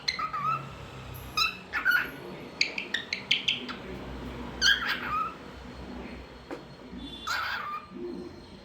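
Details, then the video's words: Talkative cockatiel kept as a pet, singing and making varied sounds: scattered whistled slurs and clusters of short, bright chirps, some loud and close, with quieter gaps in between. "Talkative Bird 🐦 Singing n Making Different Sounds"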